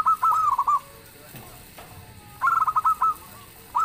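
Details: Local zebra dove singing actively, a loud song that sets other birds answering: two bursts of soft, mid-pitched stuttering coos, each a quick run of pulsed notes ending in a drawn-out trill, with a quiet gap between.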